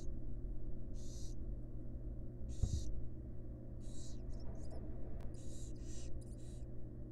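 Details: In a monitored nest box, a wild barn owl female feeds her fledglings. Five or six breathy, screechy hiss bursts come in quick succession, mixed with faint clicks and a soft thud over a continuous low hum.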